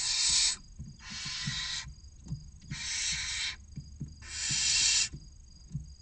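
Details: Six barn owl chicks, aged between 16 and 29 days, gather at the entrance of a nest box near the Casa Palillos visitor centre in Cabañeros National Park, Castilla-La Mancha, Spain, waiting to be fed. Harsh, breathy hissing bursts repeat four times, with faint low knocks between them.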